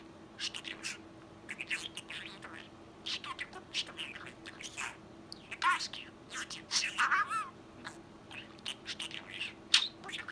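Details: Pet budgerigar, a male about twelve months old, chattering indoors in a fast, whispery voice with scratchy word-like bursts and a few high chirps and whistles mixed in.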